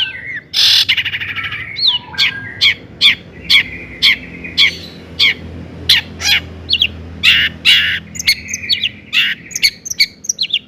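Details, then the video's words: Long-tailed shrike singing a busy mimicry-filled song used to provoke other shrikes: a loud harsh burst, then quick sharp chips, sliding whistles and rasping notes packed closely together. "kicau cendet gacor toet toet AMPUH buat PANCINGAN CENDET AGAR EMOSI"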